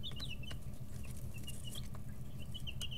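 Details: In a brooder, several 11-13-day-old chicks peep in high, slightly falling notes, some slurred together, nearly nonstop over a constant low droning hum with scattered clicks.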